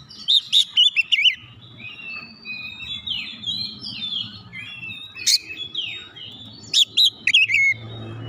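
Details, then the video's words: Song of a white-rumped shama meant to make other shamas sing: a burst of piercing whistles, a long stretch of softer chattering warbles, then renewed sharp, high whistled notes, with a low steady hum underneath. "PANCINGAN KACER CEPAT EMOSI 100% KACER MACET MALAS BUNYI CEPAT GACOR"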